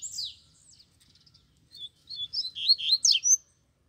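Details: Double-collared seedeaters, caged birds held in hand with a free wild one singing nearby: scattered high notes, then a rising burst of rapid, sharp, twittering syllables.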